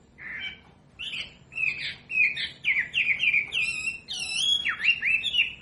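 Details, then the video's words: Wambi song used as a masteran training recording for captive birds: a lively run of clear whistled notes, sliding up and down and joined into quick twisting phrases, with a short pause after the first note. "SUARA MASTERAN BURUNG WAMBI BELAJAR BUNYI PASTI IKUT NYAUT"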